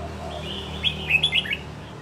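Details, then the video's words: Caged wild-caught red-whiskered bulbul, kept a year and described as fit to compete, utters one quick bright phrase of four or five sharp rising and falling notes midway, against a low background hum. "chào mào bổi sau một năm có thể thi đấu được"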